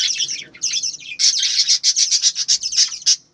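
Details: Budgerigars at a breeding farm chirp. Scratchy warbling gives way to a fast, regular series of bright, clipped chirps, roughly three or four each second.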